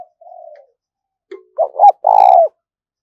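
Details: Spotted dove decoy urging wild doves closer: a soft, level murmured coo, a pause, then a loud phrase of two short notes and a long drawn coo dropping slightly at the close.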